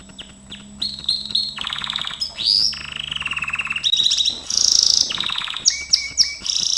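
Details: Training song of a Gloster canary, rapid rolling trills shifting between pitches, with sharp high buzzy bursts and a faint low hum underneath.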